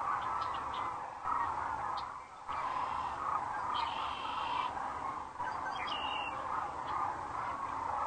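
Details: On a webcam at Rowe Sanctuary, Gibbon, Nebraska, sandhill cranes fly in to roost as the sun sets on April 4, 2013; massed rattling calls pour on continuously, with a couple of drawn-out higher whistles and scattered chirps.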